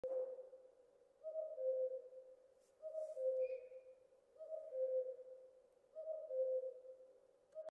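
A cuckoo repeats its mellow two-note 'cu-coo', the second note falling lower, about every one and a half seconds over a quiet background.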